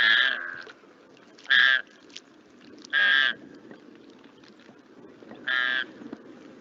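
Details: Flamingo from northern Chile, played back as a little-known call, giving four harsh, nasal, goose-like honks, each about a third of a second, spaced irregularly every one to two seconds, over low background hiss.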